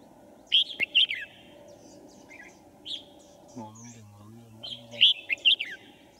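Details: Red-whiskered bulbul used as a trap decoy to attract wild birds, 5 January 2018: brief whistled, chattering phrases at the start, a lone note midway and another burst near the end, with a low droning buzz and a man's voice.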